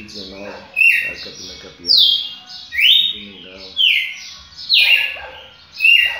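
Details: A champion red-cowled cardinal sings a run of bright whistled phrases, each sliding downward, roughly one per second, while quieter low warbling notes sound between them.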